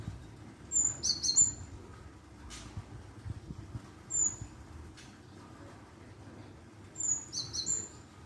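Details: Java sparrow lure calls: a rapid group of high, sharp chirps, then a few single thin whistled notes, and a second chirping burst near the end, over faint low background noise.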